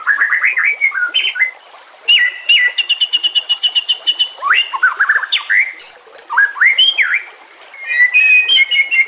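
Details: A white-rumped shama song meant to lure and train other shamas, set against nature sounds and running water: upslurred whistles, a fast even rattle of repeated notes near the two-second mark, then varied fluty phrases.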